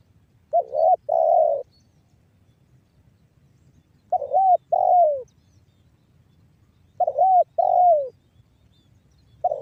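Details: Spotted dove, 'banggo bocor' style voice from Cirebon Utara, West Java, used as a lure to make other spotted doves call: hooked double note then a longer falling coo, the phrase repeated about every three seconds, quiet background.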